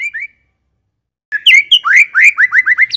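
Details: White-rumped shama of the Medan type, a clear lure song for prompting other shamas to sing: two short whistled notes, a pause, then a fast run of rising slurred whistles repeated about four times a second.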